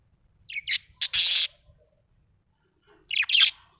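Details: Happy budgerigar making a cluster of scratchy chirps, one long buzzy note, a pause, then a closing pair of harsh high chirps.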